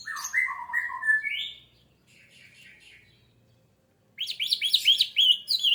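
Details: Orange-headed thrush singing as a lure to make other birds start singing quickly: rapid slurred whistles and warbles, a short quieter scratchy stretch, a near-silent gap, then a burst of high, tumbling, mimic-like notes.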